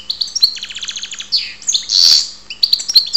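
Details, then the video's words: Goldfinch (karderina) from Ptolemaida, Greece: a quick series of rattled ticking notes, a buzzy wheezy note, a loud harsh burst, then bright high twitters. "karderina Goldfinch"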